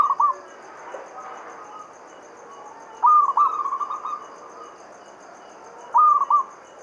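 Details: Local zebra dove from Java in lure song used to prompt other doves to sing: three separate bursts of quick, rattling cooed trills spaced about three seconds apart over a faint hissing background.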